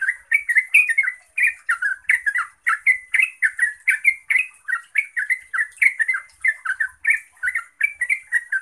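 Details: Yellow-vented bulbul (Pycnonotus goiavier) singing its long rapid song to provoke others into answering: a fast, continuous run of bubbly, liquid chirps, several notes each second, with a faint high hiss behind.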